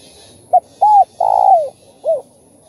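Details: Spotted dove calling and cooing, played to rouse other doves. A single clean phrase: a clipped opening note, a bowed coo, a long rolling coo dropping in pitch, then a softer closing coo.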